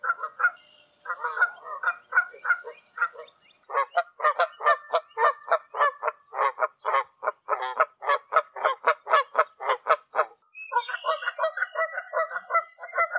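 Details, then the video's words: Wild Canada geese calling in flight high above open country in Canada: a long run of honks, loud and fairly regular, with short gaps and a brief pause before the calling resumes near the end. "Canada goose sounds in large space somewhere in Canada. Wild goose call in flight."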